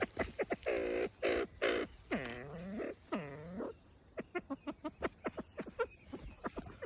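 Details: Copper pheasant giving calls while threatening: harsh, nasal, arching notes with rich overtones, each under a second long, then a quick run of sharp dry clicks repeated about twice a second.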